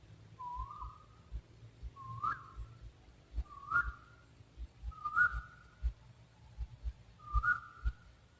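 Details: Owl giving five whistled notes roughly every 1.5 seconds, each with a brief upward flick followed by a level tone, against a quiet background with low knocking sounds.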